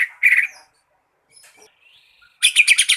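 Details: Green leafbird singing a lure song to draw other birds into song: a short warbled note, a quiet thin rising whistle, then a loud rapid rattling trill.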